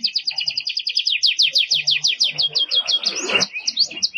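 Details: Canary; song; tutoring young canaries to learn song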